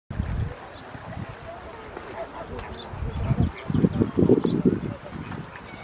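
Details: Pink-backed pelican colony at Réserve Africaine de Sigean: deep, rough grunting calls from several birds come in bursts, loudest near the end, with faint higher calls and background murmur.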